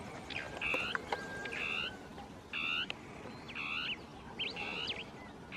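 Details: Territorial song of Dusky tapaculo (Scytalopus fuscus), a hard-to-see bird of thickets, with two birds interacting; bright, nasal harmonic notes repeated about once per second, some doubled, over a low hiss.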